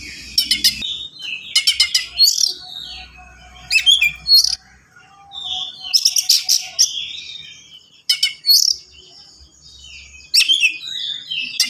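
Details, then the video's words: Oriental magpie-robin (kacer) in fast, dense song. Rattling trills of rapid chips alternate with bright whistles and slurred, warbling notes in almost continuous phrases. "KACER GACOR SPEED RAPAT FULL ISIAN"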